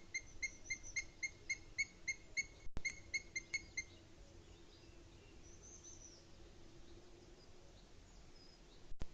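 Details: Booted eagle in the Sierra de Guadarrama, recorded 20 May 2021 at 07:40 in the morning: rapid runs of sharp, clear, high notes, about four per second, in two bursts over the first four seconds. Faint high notes follow, with a steady low hum and a few clicks.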